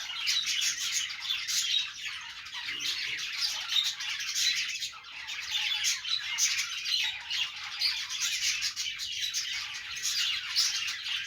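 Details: Pet budgerigars playing: a dense, continuous chatter of squeaky chirps, warbles and short squawks from several birds overlapping without pause, with no other clear sounds.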